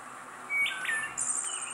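Wood Thrush song: a few soft fluty notes, then a bright, slurred whistle and a high, shimmering trill at the end.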